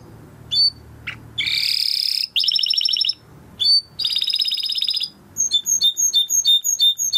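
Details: In a training song, a Timbrado canary alternates short chips with long dense rolling buzzy trills, then finishes with a series of sharp downward whistles repeated several times a second, over faint low hum.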